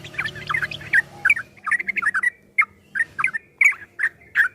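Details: Yellow-vented bulbul song in the fast 'ropel' style, recorded as a training tape for caged birds: an opening flurry of bubbly notes, then separate short chirpy phrases spaced roughly every half second.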